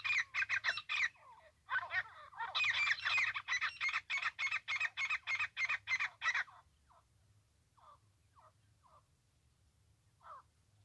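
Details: Francolin voice linked to trapping: a fast run of loud, harsh, rasping notes repeated about three per second for six seconds, then a few faint, scattered short notes and quiet.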